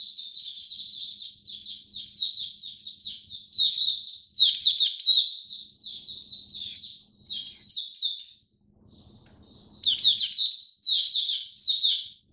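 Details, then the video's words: Oriental white-eye, a kept hobby bird in cold rainy weather, pouring out an extended high, jumbled twittering song of quick slurred notes, pausing once for about a second before continuing. "Mata Puteh Buka Sing Raja"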